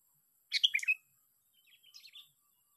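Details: Sooty-headed bulbul used as a lure bird, sixth fighting day: one short, loud burst of tumbling chirps, followed by a quieter run of soft twittering notes.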